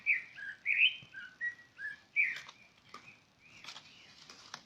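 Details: Bird calling with a chain of short whistled notes that alternate between higher and lower pitches, each slightly sliding, then fainter scratchy sounds trailing off.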